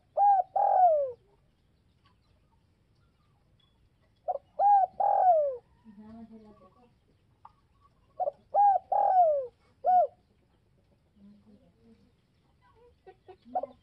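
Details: Spotted dove calling to provoke other doves. Three phrases of short coos run into a long downward coo and a final short note, while quieter, deeper cooing and murmurs fill the gaps.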